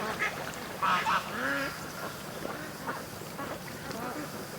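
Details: Ducks rushing from the pen to the creek in the morning; a couple of loud nasal quacks, then scattered softer calls from the flock.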